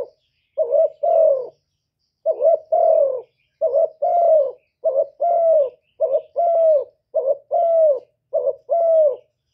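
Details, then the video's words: Spotted dove decoy singing gáy gù: a near-continuous series of soft, resonant coo pairs, short then long and slightly falling, around fifty a minute, with a faint low hum in the background. "Chim Cu Gáy Mồi gáy gù cực chất"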